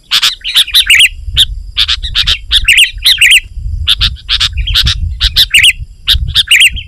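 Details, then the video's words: Vigorous sooty-headed bulbul song meant to attract wild bulbuls: steady stream of loud chirps and bubbly, looping phrases with hardly a pause, over a soft low rumble. "Suara Burung KUTILANG GACOR Rapat Menekan Lawan Ampuh Untuk Memikat BURUNG KUTILANG Liar"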